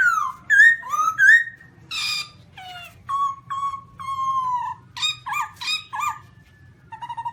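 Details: Black-throated laughingthrush giving loud varied whistles, rising slurred phrases, a harsh burst, then a string of steady level whistled notes and rapid harmonic chirps, over a faint low hum.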